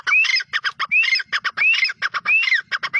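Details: Grey francolin calling: a loud rising whistled note followed by harsh, buzzy pulsed notes, the phrase repeating rhythmically about four times in three seconds with no other sounds.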